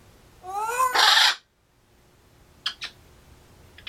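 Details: Pet African grey parrot coughing and clearing its throat: a short rising nasal note leads into a harsh, breathy cough burst, then silence and two faint clicks.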